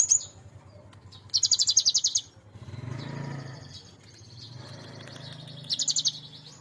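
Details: Cinereous tit raised from a nestling, now maturing, giving full-fill song: a rapid buzzy high trill lasting under a second, a quieter stretch with low background rumble, then another short trill.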